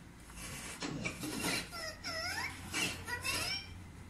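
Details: Pet talking parrot indoors while watching TV, giving a run of speech-like harmonic phrases that rise and fall in arching sweeps, with short breaks between bursts and a faint low room hum underneath.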